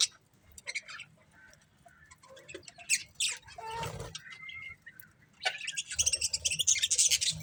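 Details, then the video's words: Several colourful budgies chirp in irregular bursts, with a brief soft rushing sound midway, a short whistled note, then a loud, fast, scratchy chatter to the end. "Beautiful Colourful Budgies Chirping Sounds"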